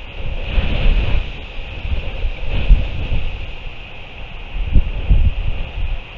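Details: Strong wind buffets the microphone in uneven gusts, giving a deep rumble and a steady hiss. No animal voice stands out.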